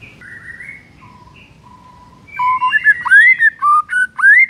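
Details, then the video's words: A white-rumped shama in morning song starts with soft, level whistled notes, then breaks into loud, rapid upward-sweeping whistles that grow more varied toward the end. "PANCINGAN EFEKTIF di PAGI HARI , 100% bikin murai batu MALAS BUNYI auto BONGKAR MATERI"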